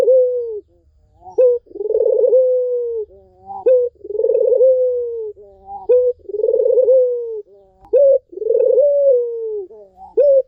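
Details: Sweet repeated cooing of a Barbary dove, used to get a non-singing dove calling again. Five rolling, downward-sliding coos, each preceded by a short sharp upswept note, come at an even pace.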